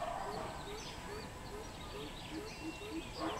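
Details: Deep resonant hoots of a greater coucal, recorded 13 June 2020, delivered in a steady rapid series of about three notes a second, with scattered higher bird twitters and continuous rural background noise.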